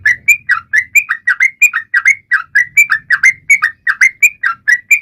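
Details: Sooty-headed bulbul in full song, used to prompt other birds to sing: rapid bubbly phrases of short slurred notes alternating between higher and lower pitches, repeated steadily without pause, with a faint low hum beneath.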